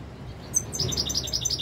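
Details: European goldfinch (royal goldfinch), 2021: a brief flurry of bright, liquid, high notes repeated quickly in a rolling series after a short quiet start.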